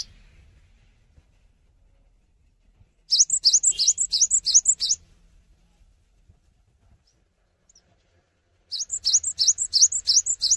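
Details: Singing without hopping, a gacor Cinereous tit delivers two strophes of very fast, regular high tsi-tchu notes, about three per second, after quiet low background rumble.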